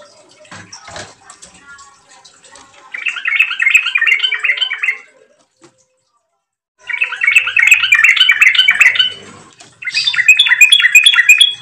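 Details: Yellow-vented bulbul, gacor lure song meant to set bulbuls singing: after faint opening noises come three extended bursts of rapid, bubbling warbles, the last one slightly higher.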